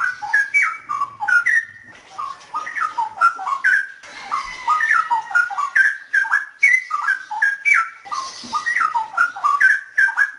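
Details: Straw-headed bulbul singing in a noise-edited recording, a steady flow of bubbling, fluty whistled notes that dip and climb in quick jerky phrases, with a short hiss near the end.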